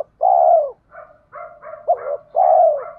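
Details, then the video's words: Spotted dove decoy cooing in the 'giọng thổ' style to lure wild doves into fighting: a loud drawn-out falling coo, softer doubled notes, a sharp hooked note, then another long descending coo, all low and mellow. "cu gáy giọng thổ pha kích bổi trống nhanh gáy, bổi ngoài rùng nghe nhanh về cội đấu với mồi"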